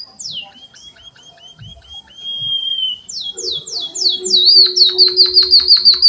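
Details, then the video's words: Java sparrow song mimicking canaries, opening with one sharp falling note and a string of soft slurred whistles, then a long steady whistle, five quick descending sweeps, and a bright trill of evenly repeated high notes. "Suara burung pipit bondol haji emprit kaji gacor"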